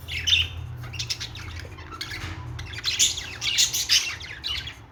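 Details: Australian parrot, a budgerigar, in a run of harsh chirps and scratchy warbled chatter that grows denser and louder toward the end, steady low hum underneath.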